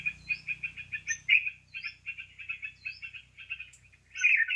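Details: Trapping lure of sooty-headed bulbul: rapid bursts of bright chirping notes with occasional high rising whistles, a louder chattering burst at the end, and faint low hum beneath.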